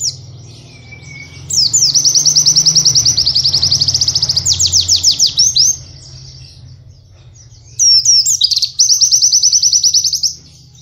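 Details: Training song for caged white-eyes, used to teach canary-style phrasing: long fast high trills in rapid pulses, a faint low whistle at the start, a pause, then another dense trill burst.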